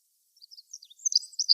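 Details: Olive-backed pipit singing from atop a flowering tree: a brief high phrase of thin twittering notes that builds from soft scattered chips into louder sibilant trills near the end.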